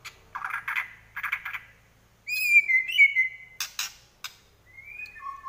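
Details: Fighting song of a white-rumped shama: buzzy chattering bursts, then a clear high whistled phrase with a wavering tone, followed by sharp clicks and a thin rising whistle.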